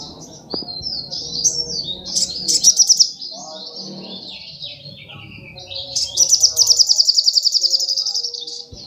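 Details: Sogok ontong singing sharp, high notes and sliding twitters, with a short burst of trilling early on and a longer rapid trill of repeated notes near the end.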